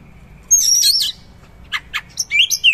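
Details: Oriental magpie-robin delivering rough, richly filled song: a high warbled whistle, then two sharp clicks and a descending whistled phrase.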